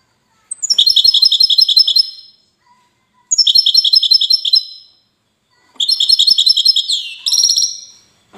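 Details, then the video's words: Goldfinch of the widani sort from Safi in Morocco singing three similar phrases about two and a half seconds apart, each a fast string of clear tinkling notes, the last ending with a descending buzzy slur. "حسون ويداني"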